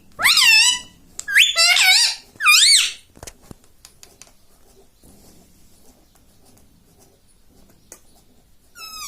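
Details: Pet parrot talking indoors like a human, mummy and mitthu mitthu; three quick squeaky, rising-then-falling spoken syllables at the start, then near silence with faint clicks, and one last squeaky note at the very end.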